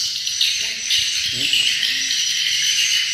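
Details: Swiftlet lure sound for swiftlet houses: a steady wash of shrill overlapping chirps and twitters fills the whole clip, with a brief murmur of a human voice below the chorus.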